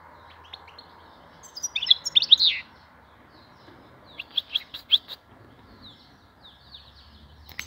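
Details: Spring song of a vanlı melik European goldfinch: two short bursts of high tinkling twitters separated by a pause, over a steady low background hum.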